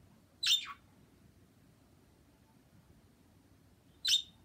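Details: Two birds recorded February 26 make two isolated, sharp, downward-sweeping calls about three and a half seconds apart, with near silence between them.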